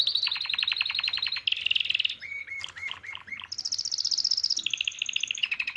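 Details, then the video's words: Excited male canary song for mating, answering a female's call: rapid rattling trills, a burst of buzzy notes, short mid-pitched chirps, then high fast rolls and a lower trill. "اجمل تغريد لكناري نار للتزاوج"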